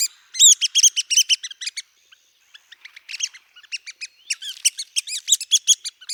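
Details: ['Red-cockaded woodpecker in longleaf pine forest, southeastern United States: a loud burst of high, squeaky, chattering notes, a brief lull with scattered softer notes, then another quick excited chatter, like rapid conversation.']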